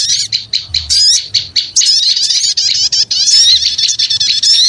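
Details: Lure sound of small birds: noisy, excited high-pitched chirping in quick bursts, sharp squeaky notes and wavering whistles tumbling over one another with brief gaps, loud and nearly nonstop.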